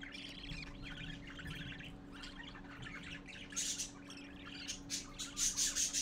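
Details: Parakeet babies gathering around their father around midday: warbling chatter gives way to sharp high squeaky chirps repeated in rapid pulses near the end, over a faint steady hum.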